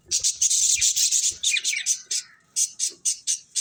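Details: Budgerigars chirping: a fast run of bright, scratchy high chirps and squeaks in short bursts, some warbled notes sliding down mid-clip, then evenly spaced sharp chirps about five per second.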